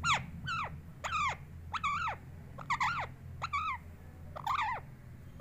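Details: A pet parrot vocalising: a series of harsh, wavering, harmonic squawk-like phrases, each dropping in pitch at its end, repeated about every half second over a low background rumble.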